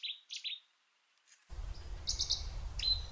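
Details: Cetti's warbler (Cettia cetti) song: loud, abrupt notes burst out in a quick run of three sharp chirps, a pause, then another explosive phrase over a low background rumble.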